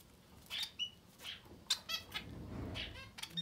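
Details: Young society finch chicks, under ten days old, begging with quick high raspy chirps and buzzy calls, some harmonic, over a faint low rumble.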